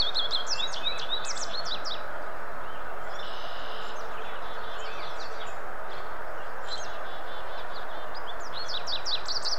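An American goldfinch sings high, rapid twittering phrases of quick rising and falling notes in several bursts, over a steady low rumble of background noise.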